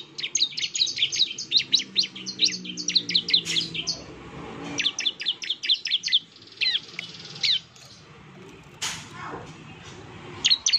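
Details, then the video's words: Lure song of a Bar-winged prinia (ciblek) for provoking a reply: two quick bursts of shrill downslurred chips, then scattered single notes with gaps and a faint low background hum. "suara pancingan ciblek gacor, NEMBAK terus ciblek pasti NYAUT emosi dan gacor"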